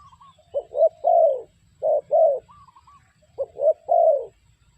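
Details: Trapping-lure spotted dove repeats a low three-part coo: two brief notes then a longer throaty croo, three phrases about a second and a half apart, faint whistled notes of another bird between.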